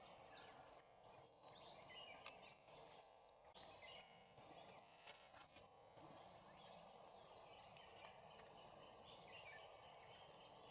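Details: Oriental dwarf kingfisher (Ceyx erithaca) at Bondla Wildlife Sanctuary in March 2019: four faint, very high, sharp squeaks about two seconds apart over a steady hiss of forest insects and ambient noise.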